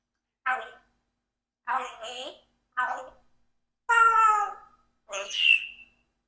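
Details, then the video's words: Rocky, a 4-year-old pet Congo African grey parrot, talks in five short, speech-like bursts spaced about a second apart, mixing harmonic syllables with a rising whistled note at the end. "When Parrot Rocky is Too Creative with Words"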